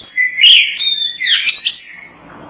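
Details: Kacer, or Oriental magpie-robin, delivering a short, loud, jumbled run of high whistles and chirps lasting under two seconds, then fading to quiet background.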